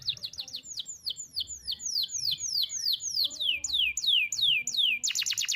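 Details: Canary song used to train young birds to sing, long phrases in one breath: a steady run of sharp, high, down-slurred whistles, about three per second, ending in a rapid bright rattle.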